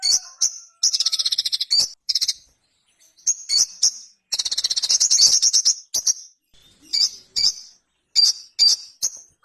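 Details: Ruby-cheeked sunbird (sogon) alternating fast high buzzy trills with many short piercing chips over about nine seconds.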